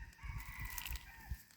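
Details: A distant wild Red junglefowl rooster in forest holds a steady, drawn-out crow, partly buried under the close thumps and rustles of someone walking and gathering wild vegetables.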